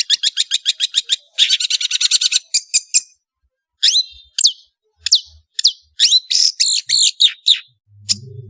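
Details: Long-tailed shrike (cendet) singing loudly as a training recording for songbirds: a rapid run of about a dozen sharp chirps, then a dense harsh burst, followed by scattered varied high chirps and slurred whistles.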